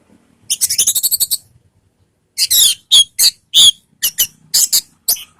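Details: Orange-headed thrush song meant to lure other birds into replying: a quick run of about ten scratchy high notes, a pause, then loud separate squeaky whistled notes roughly every quarter second.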